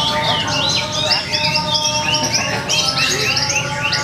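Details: Contest Javan bush lark at a Purwakarta gathering, 2 February 2020, pouring out fast chattering phrases of high, twisting whistles and short trills, steady hum and faint voices in the background.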